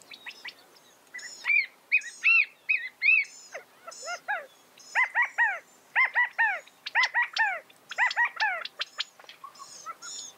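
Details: Repeated arched, throaty call notes of a California quail, delivered in steady clusters almost without pause, with several calls overlapping and faint high chirps between them.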